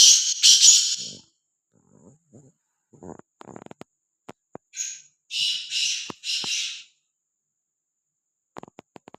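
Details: Free-roaming, fearless black francolin giving harsh, rasping bursts: one loud grating note at the start, then after scattered clicks and taps a run of three scratchy syllables in quick succession, followed by quiet ticking.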